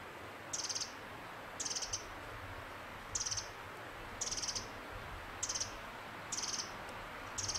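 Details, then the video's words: On Oregon's Fox Hollow Ridgeline Trail, a Pacific wren repeats clipped, high, scratchy chip notes about once a second, each a quick cluster of ticks, over faint low noise. "Pacific Wren"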